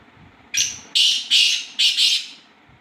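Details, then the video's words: Black francolin calling: a loud, harsh, grating phrase of five rasping notes in about one and a half seconds. A longer first note is followed by short scratchy bursts in pairs, over a quiet background. "kala teeter ki awaz"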